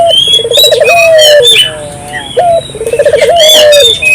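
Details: Vigorously calling Barbary dove, used as a lure so local doves join in: fast pulsed coo rolls rising then sliding down into a held low note, twice in quick succession, with sharp high chirping from other birds throughout.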